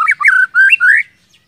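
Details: White-rumped shama song played as a lure to make other shamas sing loudly and often: loud, clear whistled phrases, short rising and falling notes joined into longer slurred whistles, ending in a brief upward sweep, then silence.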